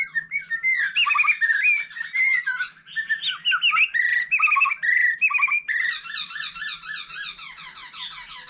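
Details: Continuous varied singing by a mature wild-caught white-rumped shama beside a laughingthrush: rich warbled whistles and rolling phrases, then a dense, fast chattering trill for the final few seconds.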